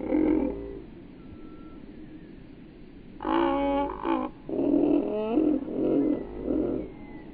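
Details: A domestic goose in flight gives loud, nasal honks in short harsh bursts, some quickly repeated.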